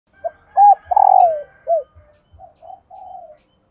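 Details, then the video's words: Female spotted dove calling, a sound played to make decoy males coo: a short note, a rounded coo, a long rolled falling coo, then a short falling note. Softer, quieter coos trail off afterwards. "hãy mở ngay Tiếng cu mái này"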